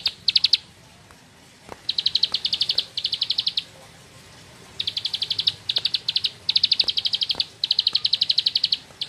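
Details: Bar-winged prinia, a rice-field bird, singing in the 'nembak ngebren' style: high, rapid buzzy note trains in bursts of about one second, separated by short pauses, over a quiet background with faint clicks.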